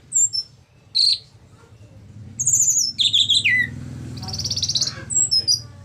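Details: Orange-headed thrush in ngeplong song, meant to stimulate silent thrushes into singing. Short high chips, then a descending run of warbled whistles and a buzzy trill, against a low rumbling background.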